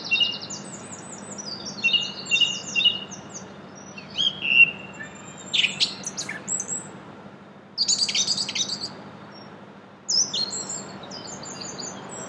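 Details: Song thrush recorded in April in Brussels, Belgium: a string of brisk repeated notes and thin whistles, loud phrases broken by short silences, against a low constant hum.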